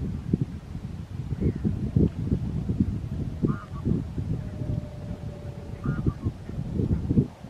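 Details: Barnacle geese at Strijen, South Holland, the Netherlands, on 4 November 2024: short yelping barks, a few scattered calls near the middle and end, over a strong low rumble of wind or handling noise.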